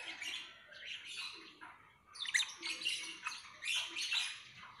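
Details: Lovebird giving a continuous, busy chatter of high squeaky and scratchy notes in two bursts, with a short quieter gap in the middle.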